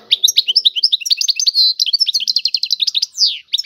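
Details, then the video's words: Continuous tiwawati-style song from a European goldfinch. A quick run of varied chirps and slurred whistles, with short buzzy rattles and a sweeping downward note near the end. "اعظم تغريد الحسون طيواواطي"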